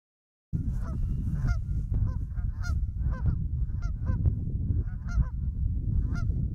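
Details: Canada geese in a 2015 field recording made on an Olympus LS-20m: repeated nasal honks from several birds overlap irregularly over a constant heavy low rumble of wind or background noise.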